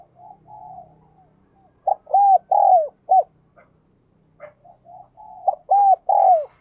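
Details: Spotted dove with a ringing 'giọng đồng kim' voice, also known as 'giọng đồng chuông': low murmured coos lead into two strong phrases of arched hollow notes, each ending in a drawn-out falling coo, with short clicks between.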